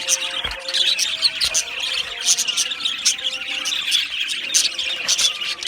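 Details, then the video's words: Australian budgerigars in a colony aviary give loud squeaky chirps and squeals in quick bursts over constant high chatter, with a couple of low thumps. "Beautiful Australian Budgie birds Chirping Sounds | Budgie birds sounds"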